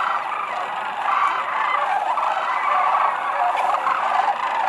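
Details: Thousands of Sandhill cranes descending to land at Whitewater Draw Wildlife Area near McNeal, Arizona, on February 5, 2018; a dense, unbroken chorus of overlapping rolling, trumpeting calls fills the whole stretch.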